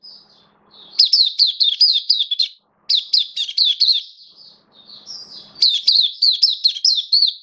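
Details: Caged oriental white-eye kept as a hobby bird, in open singing (buka) on 11 September 2022 while its form dipped a little: two bursts of rapid, high, chirpy twittering notes, each run lasting about two seconds, with a faint low hum behind.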